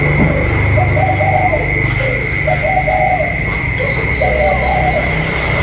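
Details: Caged spotted dove dueling with a wild dove on 27 October 2022, three separate runs of hoarse, rolling coos with short gaps between them, a low hum and a thin steady whine underneath.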